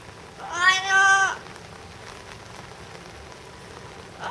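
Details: Yellow-naped amazon at Higashiyama Zoo, July 2011, letting out one loud, harsh, drawn-out shout of about a second, rich in harmonics, then falling quiet over a soft background hiss.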